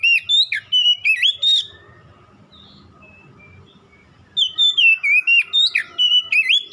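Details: Oriental magpie-robin singing to stir a caged bird into responding: rapid loud whistled phrases with rising and dropping slurs, a pause of nearly three seconds with faint distant chirps, then another energetic burst of notes.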